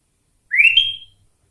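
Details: Kutilang, the sooty-headed bulbul, delivering a single bright whistle from its cucak ijo–filled song, swooping upward and ending in a sustained high thin tone, against near silence.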